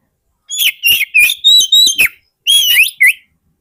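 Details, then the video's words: Oriental magpie-robin lure song for wild birds: a quick string of short whistled notes at a steady high pitch, then a full phrase of held whistle, upward sweep and short lower note. "SUARA PIKAT BURUNG KACER YANG SATU INI"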